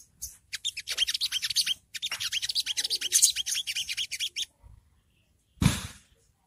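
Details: Long-tailed Shrike ngriwik chatter meant as beginner training audio that makes birds respond; fast, harsh, high notes for over four seconds, then silence and a low thump.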